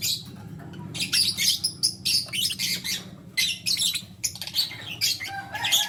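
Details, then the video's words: Busy chirping from lutino lovebirds, one male and two females, with dense, high, harsh twittering bursts that follow in quick succession and occasional thin whistled squeaks, over a low background hum. "Lutino Lovebird Chirping Sound - 1 Male Chooses 2 Females"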